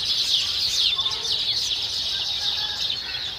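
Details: Baya weavers calling together: quick, high twitters and short downslurred chirps overlapping densely, with a few lower-pitched notes scattered through.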